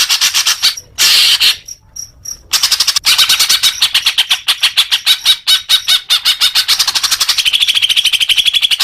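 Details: Greater green leafbird song for making caged birds sing more: dense continuous chatter of fast repeated high notes, a few squeaky chips in a gap, ending in a quickening trill.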